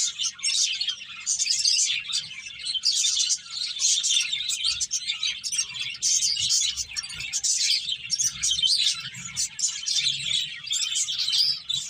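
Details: A long stretch of finches chirping as they eat and play, with sharp, high twittering notes packed densely in waves of busier and quieter chatter over a low hum.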